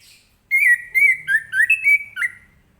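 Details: Morning ngeplong song of an orange-headed thrush, used to get other birds singing: fluent whistled notes, some rising and some dipping, strung closely in a lively two-second burst with little background noise.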